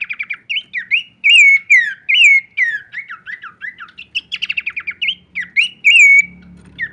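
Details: Horsfield's babbler singing a full varied song while shaking its wings: quick run of clear whistled phrases, some rising, others slurred downward, with short rapid trills, repeated almost without pause.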